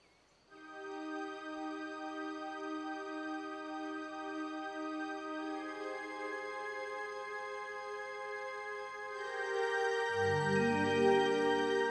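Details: Soft sustained synthesizer music with layered tones, swelling and gaining low notes near the end; no animal sounds.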